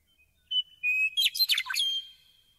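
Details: Meadowlark song: a few clear, pure whistled notes held steady, then a rapid, tumbling jumble of gurgling warbled notes, ending on a fading high whistle.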